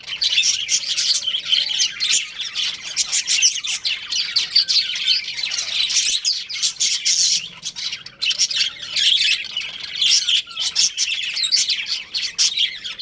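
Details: Long stretch of chattering from a pet budgerigar breeding pair, continuous gritty warble of fast chirps and squeaks with occasional brief pauses, very faint low tones behind.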